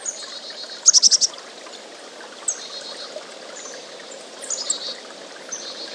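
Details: Chickadee singing: a quick burst of five high, pulsed notes near the middle, then scattered thin whistled notes and short high slurs, over a steady rushing background hiss.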